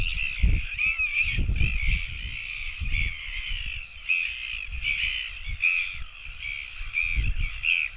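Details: Royal albatross chicks begging for food on a nest webcam, more than one chick joining in: wavering, reedy, rising-and-falling notes repeated in uneven phrases, a few lower squeals, with wind buffeting the microphone throughout.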